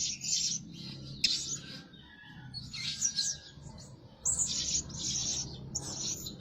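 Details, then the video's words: Blue-crowned hanging parrot kept as a decoy lure bird that calls day and night; shrill, high chirping bursts in several separate clusters, with a faint low rumble underneath. "Denak Pemikat Burung Serindit Rajin Siang Malam Berbunyi"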